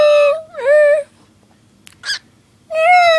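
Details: Cockatiel doing a cat-like meow: two wavering mews, a soft click and short breathy note, then another long, even mew.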